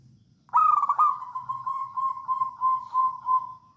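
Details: Zebra dove, a local wild Javan bird in full 'songgo ratu' song, kept as a lure for other doves; one harsh opening note runs into a long steady, evenly pulsed rolling coo lasting about three seconds.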